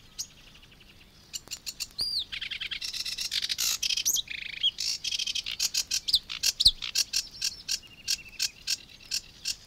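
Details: In Matsalu reed beds, USSR, a Sedge Warbler sings a varied, hurried medley of grating churrs, whistled notes and rattling trills that builds into a fast series of scratchy repeated notes.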